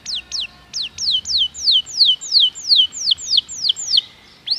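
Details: Canary singing, used to encourage other canaries to sing: a steady series of clear whistled notes, each sliding downward, spaced about three per second, over soft background hiss.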